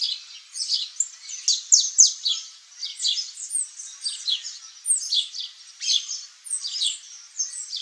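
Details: Saffron finch giving an energetic song of quick, high downward-sliding chirps, grouped in bursts several times per second.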